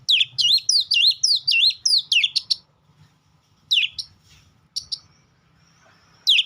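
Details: Oriental magpie-robin singing a rapid run of loud, swooping whistled notes, each sweeping down then up, about three per second, then a pause and a few scattered phrases against faint low background hum.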